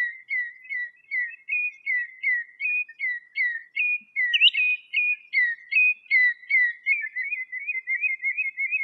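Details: A common redshank sings in the wild in Greece: a run of clear, yodelling whistled notes, about two or three per second, steady in pitch with a few higher rising notes, and nothing else heard.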